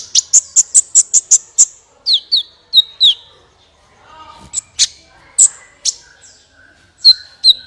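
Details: Energetic sunbird singing meant to prompt other birds into song: a quick series of about eight high chips, then lower downslurred notes and scattered high tweets with short gaps.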